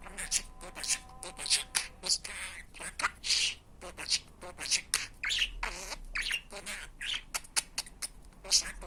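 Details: Talking budgerigar repeating Turkish words like "aşk", "fıstık kuş" and "babacık" for budgie speech training; long stream of hoarse chattering syllables, clicks and squeaks, with a low rumble partway through.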